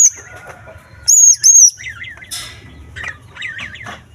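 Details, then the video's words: Green leafbird singing to provoke rival leafbirds, its song stuffed with small-bird mimicry: two loud, high, sharp whistles early on, then quick warbled trills and chatter, with a faint low hum beneath. "Cucak Ijo Full Isian Burung Kecil Gacor Menaikan Emosi Cucak Ijo Lain"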